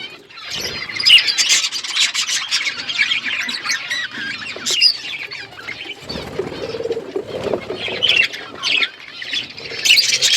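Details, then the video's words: Budgerigars chattering as a flock in an outdoor aviary, a continuous high warbling babble with harsh squawks and scratchy chirps, thinning briefly around the middle and then building back up. "Budgies flocks in outdoor aviary budgies colour budgies chirping sounds"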